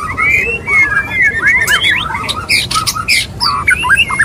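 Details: White-rumped shama, a male wooing a female, pours out sweeping whistles and looping slurred notes mixed with harsh clicking bursts in a fast, continuous sequence.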